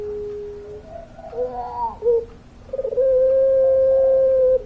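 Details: Puter pelung dove, a Barbary dove kept for its long-voiced cooing, giving a low steady hum, then a rolling, wavering phrase, and ending in a long, even, sustained coo lasting nearly two seconds.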